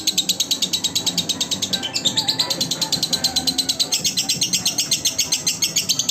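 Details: Lovebird singing as a model for training other lovebirds: dense, high-pitched twittering pulses about seven per second, with a sweeping squeak near the second mark and a faint low hum.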